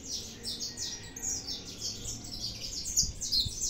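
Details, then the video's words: Soft, high chirps from a saffron finch run steadily throughout, fairly faint, with a low background murmur and a couple of sharp clicks near the end. "canário da terra 315 cantando muito"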